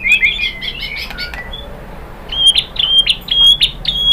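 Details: White-rumped shama song played to provoke rival birds to sing: a fast, jumbled run of chirps, then a series of clear whistled notes repeated about twice a second at an even pitch.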